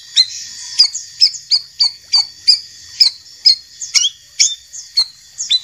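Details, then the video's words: White-rumped shama, a champion and a young speckled bird, used for tutoring caged birds. A run of short, sharp whistled chirps about once a second, a few doubled, with a continuous thin hiss beneath. "masteran murai batu juara dan murai batu bahan trotol"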